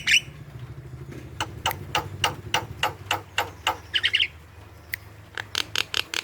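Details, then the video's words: Javan myna in full active song, a lure recording used to provoke young, lazy or silent mynas to call: sharp, clipped chirps repeated in quick bursts, a brief chattering trill midway, over a low engine-like hum. "PANCINGAN JALAK KEBO MALAS BUNYI Jalak kebo gacor"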